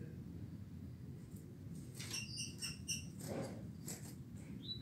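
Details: Rusty-collared seedeater singing the classic "tuitui" song at 6:30 a.m. on 16 December 2019: a brief burst of clear, high whistled notes in quick succession over a steady low rumble.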